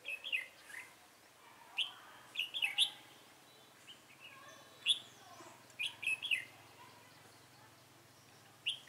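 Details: Red-whiskered bulbul recorded during trapping with a decoy bird on 24 March 2018. Short, bright whistled phrases rise and fall and come in bursts every one to two seconds, with quiet gaps between them.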